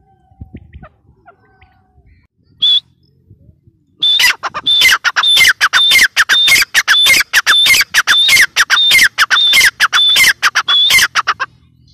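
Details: Grey francolin calling: after a few faint sounds and one early note, a loud, harsh, high run of rhythmic repeated notes starts, fast and insistent, lasting about seven seconds before stopping.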